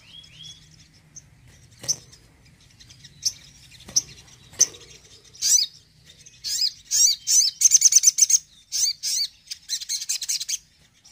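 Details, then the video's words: Crimson Sunbird (sogon) in a 'tembakan' shooting song meant to rouse a less eager sogon: a few isolated clicks and a faint high note at first, then rapid high chirps and quick trilled bursts building up in the second half. "TEMBAKAN SOGON AMPUH DONGKRAK EMOSI SOGON KURANG ON!"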